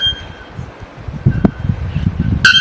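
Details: A White Bellbird, called the world's loudest bird at 125 dB, gives a sudden, very loud, metallic ringing blast near the end, after faint tonal hums. Low rumbling background and music run throughout.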